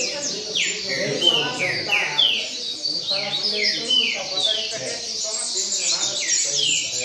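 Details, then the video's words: Double-collared seedeater (coleiro pardo) singing steadily in a singing contest (roda de coleiro): rapid series of sharp, descending whistled notes repeated in quick succession, with faint background voices. "Coleiro Pardo Cantando Firme Na Roda de Coleiro"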